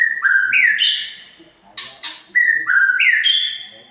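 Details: White-rumped shama song for agitating other birds: loud whistled notes climbing in steps, two crisp harsh clicks in the middle, then the same rising whistled phrase again.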